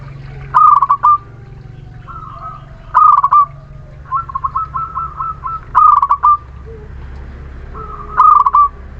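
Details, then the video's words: Zebra dove of the local Muria type in song, played to coax lazy birds into singing: four rapid trilled coo phrases with softer drawn-out notes between, over a low background hum. "Perkutut lokal Muria gacor pancingan setiap waktu perkutut malas bunyi"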